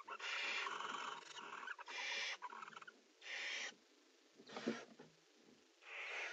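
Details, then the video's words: Barn owls in a nest box during prey transfer and mating: harsh, breathy hissing screeches of about half a second, given in irregular bursts with short quiet gaps and faint scratching between. "Kerkuilen: PO en paring in VP"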